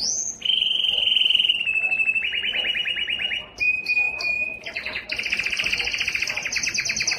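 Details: Yellow canary song made of fast rolling trills, each held steady for a second or two before switching to a new pitch, with a high whistled note and rapid repeated chips near the end.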